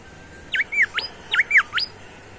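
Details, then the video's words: Song variations from a vigorously singing bimoli: paired phrases of bright whistles, a downslurred note followed by a sharp upward sweep, repeated twice in quick succession over a quiet background. "SUITAN FARIASI SUARA BURUNG BIMOLI GACOR"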